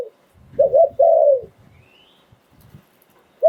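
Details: Thai decoy Spotted Dove singing in the Sai Phon Liu Tan style: two short rising coos, then a long, low, falling coo. A second phrase begins as it ends, with soft rustling in between.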